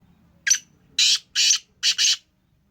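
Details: Black francolin, the Sheedi strain of kala teetar, a home-bred bird: a short series of five harsh, loud, grating notes, the last two paired closely together, over a quiet background.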